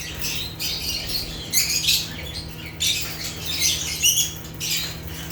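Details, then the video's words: Lovebirds (Agapornis) from Africa giving natural chirps: harsh, high-pitched squeaky notes in uneven bursts, several overlapping, over a faint constant low hum. "Rare African Lovebirds (Agapornis) | Natural Chirping Sounds"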